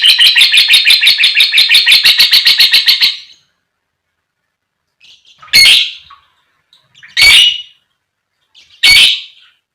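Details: Lovebird chattering song used as a lure to set other lovebirds singing: a rapid harsh trill of about fifteen buzzy notes over three seconds, then a pause and three loud separate raspy squawks spaced roughly every one and a half seconds.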